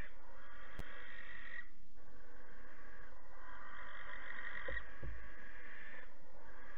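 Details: Twelve-week-old barn owl young being chased from the nest box by their parents, Alphen, 8 August 2019, 23:33. Two drawn-out, breathy screeching hisses, the second lasting about three seconds, with a sharp click and thumps.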